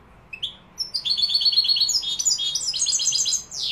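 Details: Málaga-style goldfinch song recorded in Morocco: a single rising chirp, then a fast twittering sequence of high tinkling notes and trills that ends in a steep falling sweep.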